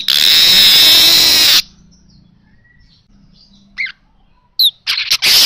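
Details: Baya weaver song: a long loud hissing wheeze for over a second, silence, then brief sharp chips and a final burst of buzzy chatter.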